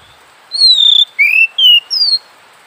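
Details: Oriental magpie-robin (kacer) singing: four clear whistled notes, the first long and slightly falling, then short rising and falling whistles at varied pitches, loud and clean with little background.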